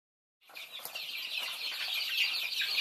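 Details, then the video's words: Thai chicks feeding, many baby chickens peeping together in a dense chorus of high, short chirps, starting after a brief silence and growing steadily louder with faint pecking clicks. "Me Nyuam Qaib Thaib Thai chicks"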